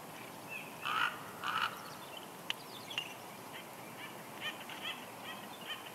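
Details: Female bald eagle on a nest at Big Bear Lake, California, 6 March 2021, whining softly as the male arrives with a headless fish: two soft, nasal, harmonic notes about half a second apart, then fainter murmuring notes.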